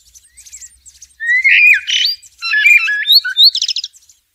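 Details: Blackbird singing outdoors: soft faint notes at first, then loud flowing whistled phrases mixing mellow fluting with rapid jumpy notes and a closing buzzy, high twittery flourish.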